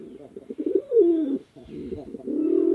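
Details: Male and female pigeons fighting at a pigeon farm in a village in Chittagong District, Bangladesh: low throaty coos and rolling grumbles, one louder drawn-out falling coo, then a steady hoarse cooing to the end.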